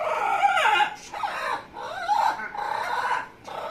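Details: Pet Amazon parrot making funny noises: loud, rich, nasal, whining phrases with bending, wavering pitch, delivered in several bursts separated by short pauses.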